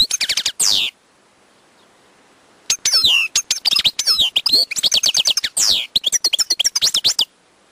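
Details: Wild European goldfinch singing in two bursts split by a gap of almost two seconds, each a lively jumble of high, tinkling twitters, quick trills and a sliding, downward-swooping note.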